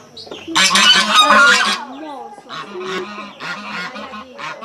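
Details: Several geese kept at a countryside house among other animals, honking loudly in a burst of harsh, broadband calls, then quieter repeated honks with a low steady hum underneath.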